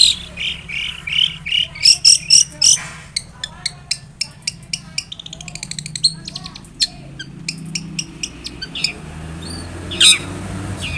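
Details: Long-tailed shrike song used as a lure to prompt another shrike to answer: sharp high chirps and harsh squawky notes in quick irregular bursts, with short whistled trills near the start and one again near the end.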